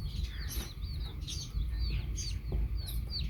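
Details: Several baby chicks with a hen peep in high, sliding chirps, each dropping in pitch, repeated rapidly and overlapping, above a steady low droning hum.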